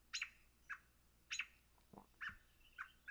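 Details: An American robin in an eastern woodland gives its aggressive alarm call, often used when a dog, predator or person passes: sharp, squeaky notes, about six in three seconds at uneven spacing, with one lower clucking note midway.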